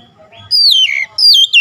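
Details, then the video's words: Oriental magpie-robin giving two clear, loud descending whistles, the first a long slurred glide and the second a shorter drop, after a moment of near silence. "KICAUAN MENAIKAN EMOSI KACER"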